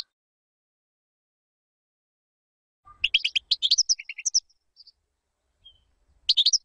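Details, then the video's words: European goldfinch song for tutoring chicks, presented as error-free: after three seconds of silence comes a short burst of rapid liquid twitters and chirps, a few lone high notes, then another brief twittering phrase at the end. "تغريد طائر الحسون بدون أخطاء لتعليم الفراخ"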